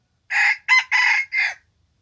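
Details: Young red junglefowl decoy bird, out for its first training session for trapping wild junglefowl, gives one loud four-part crow: a long harsh note, a short clipped note, another long note, then a fading final note, all within about 1.3 seconds, against silence.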